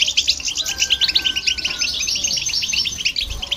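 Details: Singing goldfinch with a hybrid, used to stimulate other birds: quick tinkling chirps in a busy chain, a thin sustained whistle running briefly through the middle, and a low thump near the end.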